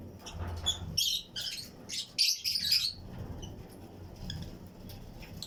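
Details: Pairs of Fischer's and Lutino lovebirds in a flight cage colony aviary with other birds. A two-second burst of loud, shrill, squeaky chirps is followed by quieter scattered notes.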